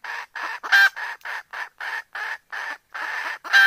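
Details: Female junglefowl calling for a mate: a steady run of about ten raspy clucks, roughly three per second, evenly spaced, with two louder, sharper notes among them.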